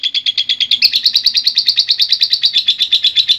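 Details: Lovebird giving a long ngekek song meant as training material for other lovebirds: a fast, high, rattling chatter of clipped notes, quickening after the first second into a dense continuous trill.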